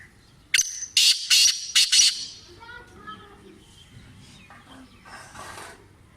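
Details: Black francolin, the Sindhi type, a bird kept for calling training: a loud burst of harsh grating notes in a quick rhythmic phrase, then fainter scratchy calls and soft background chirps.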